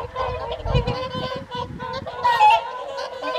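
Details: Evening feed of whooper swans, Folly Pond at Caerlaverock, January 2023: a continuous clamour of honking calls from many birds, with low rumbling noise near the start and one louder trumpet toward the end.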